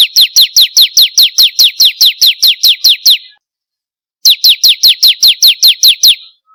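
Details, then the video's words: Rapid, regular series of high, sharply descending chip notes from a bar-winged prinia, a recording meant to stimulate captive birds into song; a run of about fourteen notes, a one-second pause, then another run. "pancingan burung ciblek kristal paling ampuh || mp3 burung ciblek"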